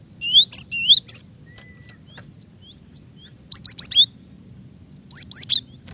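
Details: Java sparrow female calling to a male: clipped bright chirps in groups of three or four, then scattered soft ticks and a brief thin whistle, followed by two more quick high chirp series.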